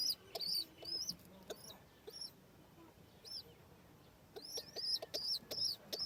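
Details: Baby home pigeon chicks at feeding time give shrill, thin squeaks in short bursts, with a quieter pause in the middle and a quick string of arched whistles at the end.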